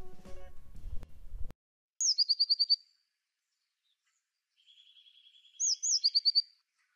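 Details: Eurasian Blue Tit, a bird of gardens, parks and woods, calling: a sharp high note then a quick run of seven or eight tinkling notes, repeated after a softer buzzy trill; brief low noise before.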